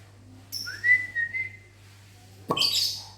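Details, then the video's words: A person's long rising whistle in a small morning aviary is answered by a lovebird's abrupt loud, rasping, high-pitched squawk, with a short faint chirp before the whistle and a steady background hum. "Disiul Lovebirdnya Nyahut Mantab"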